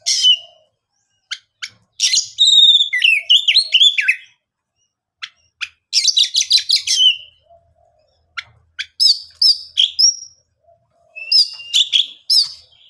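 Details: Oriental magpie-robin in full song to provoke rival birds: long phrases of looping whistles, trills and fast chattering notes separated by pauses of a second or two, with a few softer single chirps.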